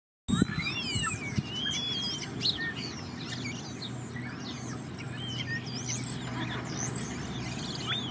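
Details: Common starling at Mudeford, giving a rambling mix of whistled slurs, rising and falling squeaky notes and short clicks, with a low background rumble throughout.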